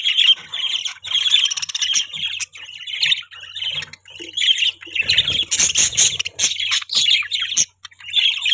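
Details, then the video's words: Budgies kept as pets chatter continuously in fast, scratchy warbling phrases, while a burst of broadband rustling, perhaps wing flapping, cuts through midway. "Beautiful Budgies Chirping Sound"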